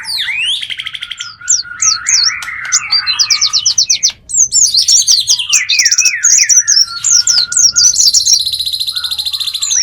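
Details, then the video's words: Wild-bird lure with rapid high chirping and downslurred notes in quick series. Buzzy trills and a sustained very high tone come toward the end. "Pikat ampuh,untuk pancingan burung liar"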